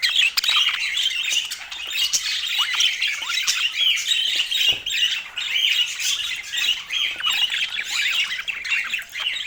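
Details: Budgerigars chattering in a dense, continuous mass of overlapping high warbles, chirps and squawks, with rapid scratchy notes and short rising and falling whistles running through all ten seconds.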